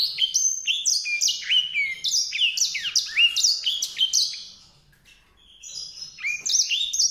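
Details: White-rumped seedeater singing a rapid, fluent warble of bright whistled and slurred notes, many sweeping downward, tumbling in quick succession high in pitch, with a brief pause near the fifth second before the song resumes.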